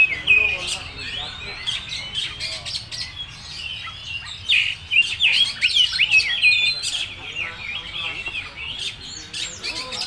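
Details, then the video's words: Oriental magpie-robin performing "full materi" song: bright, high whistles and quick trills tumbling in rapid sequence, loudest in the first half, with scattered clicks between phrases. "Suara burung KACER full materi"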